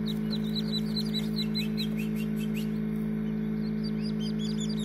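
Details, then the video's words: Partridge chicks just hatched inside a homemade incubator on 6 June 2019 give quick strings of sharp, high peeps rising in pitch, fading briefly mid-clip then resuming, all above a steady droning machine hum. "NACIMIENTO MIS POLLOS DE PERDIZ"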